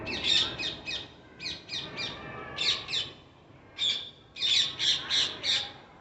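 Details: Parrots calling with rasping, grating squawks, singly and in quick clusters of three or four, separated by brief quiet gaps.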